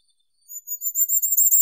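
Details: Firecrest song opening: very high, thin notes starting softly and quickening and rising in loudness over about a second.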